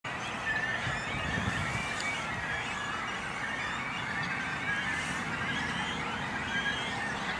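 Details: Many great cormorants at a breeding colony with young, on an islet in a small lake near Langedijk, Netherlands, call together in a steady, dense din of harsh croaks and thin, squealing chick cries, with no quiet gaps.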